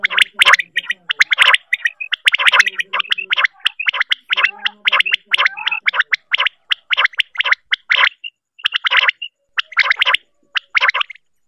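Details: Rain quail, apparently female, at night give dense bursts of sharp, rapid clicking notes, about one burst per second; several birds seem to overlap in a harsh, chattering chorus, with laughter in the background.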